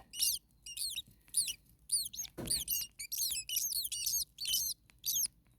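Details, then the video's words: Common starling nestlings in an overheated nest call in rapid, high, squeaky wheezes, many overlapping notes in quick bursts, with one muffled thump midway and a low steady hum beneath. "Starling baby birds very hot. Day 2 Nest 2. Mama bird was close by making some noises."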